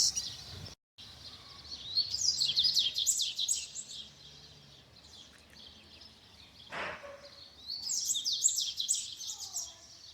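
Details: Wild double-collared seedeater singing in nature: short bursts of fast, high, chattering twitter separated by quieter pauses, with steady background hiss and one brief sharp click midway.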